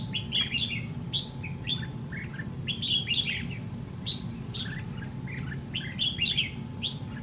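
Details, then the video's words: Red-whiskered bulbul of the white-cheeked type in a trap fight with a decoy bird: quick lively clusters of clear whistled and slurred notes repeating through the clip, over low-pitched background noise. "Bẫy đấu chào mào MÁ TRẮNG"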